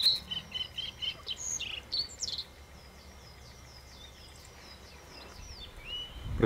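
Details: Male blue-and-white flycatcher singing in the early morning in taiga by the Bikin River, northern Ussuriland, early May 1997, just after arrival: clear, high whistled notes and slurred phrases, other birds chirping faintly, a brief noise at the end.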